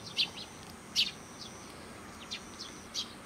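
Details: Sparrows welcoming arrivals at a Japanese Tenmangu shrine, uttering a few crisp high chirps, two stronger notes near the start and softer ones later, over low steady ambient noise.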